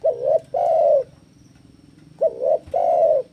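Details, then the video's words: Recorded to lure and train doves, a spotted dove gives two song phrases. Each is a wavering short coo, then a longer smooth coo, separated by about a second of quiet hum. "Masteran Burung TEKUKUR Gacor - AMPUH Pancing Tekukur Bunyi"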